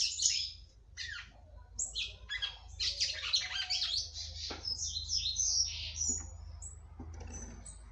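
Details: Female red-cowled cardinal singing at length to stimulate her male: dense, high, chattering phrases of quick slurred notes, some rising and falling, with a steady low hum underneath.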